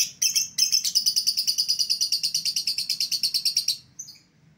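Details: Lure call for calling back an escaped lovebird: a long, rapid, rhythmic chatter of shrill, high chirps, about six per second for over three seconds, then a faint note.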